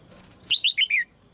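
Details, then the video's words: Female red-whiskered bulbul calling in a cage, a call used to stir other birds into strong song: a single quick phrase of four bright, slurred whistled notes, stepping downward, over a faint low hum. "นกหัวจุก birds - เสียงนกตัวเมียร้องในกรงดีมาก กระตุ้นเสียงนกร้องแรง"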